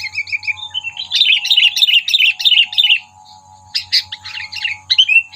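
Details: Sooty-headed bulbul calling as a trapping lure to provoke predators: a rapid, chattering string of slurred chirps lasting about two seconds, followed after a pause by sharper, scattered notes.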